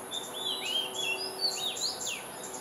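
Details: Oriental magpie-robin, an accomplished singer with an individual tune, in Singapore: a rich, fast medley of sweet whistles, swooping upslurs and downslurs, with a constant high-pitched insect hum behind.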